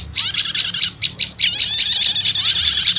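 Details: Prinia lure blending prenjak lumut and prenjak setater to call wild prenjak lumut: a brief burst of high trilling, a couple of quick chirps, then an unbroken shrill buzzing trill.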